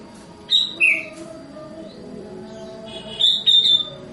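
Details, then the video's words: Sooty-headed bulbul singing: a clear whistled note, then a lower slurred downward whistle, a pause, and a closing burst of several high, quick whistled notes. A low steady hum runs beneath. "burung kutilang terbaik"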